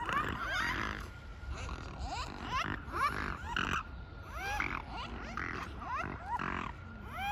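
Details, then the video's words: Swans giving strange, nasal, honking calls, many overlapping voices in quick bursts of rising and falling notes, with a steady faint tone and low rumbling background throughout. "Strange swan noises"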